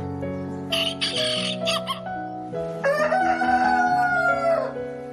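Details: Domestic chickens at a farm, rooster with hens: harsh choppy cackles, then a sustained arching crow lasting about two seconds. Background music plays throughout.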